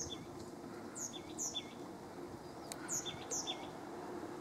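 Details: An Oak Titmouse sings from a tree on 28 February 2016 at 2:45 PM: quick repeated two-part phrases, a thin high note sliding down into a lower whistle, given in pairs, over steady background hiss.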